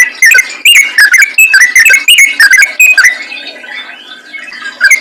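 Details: Energetic 'ropel' song of a yellow-vented bulbul, played as a lure for other bulbuls: a tumbling stream of short, sharp, rising and falling chirps for about three seconds, then it fades before a final note.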